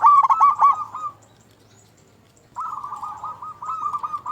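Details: Zebra dove singing as a lure for other zebra doves: a short burst of quick bubbling coos, a brief pause, then a softer continuous rolling trill of cooing notes.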